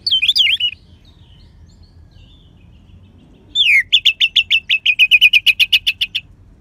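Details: Caged orange-headed thrush from Bali, song used to spur other birds to sing: a warbling twisting phrase, a pause, then a downward slur leading into a rapid string of about twenty crisp repeated whistled notes.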